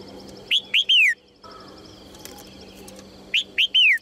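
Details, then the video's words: Female Red-whiskered bulbul uttering calls that encourage males to sing. Two matching three-note phrases roughly three seconds apart: quick rising whistles followed by a longer descending slur, with soft ticking behind. "นกหัวจุก birds - เสียงนกตัวเมียส่งเสียงเจื้อยแจ้วจูงใจนกตัวผู้ให้ร้องเพลงอย่างมีความสุข"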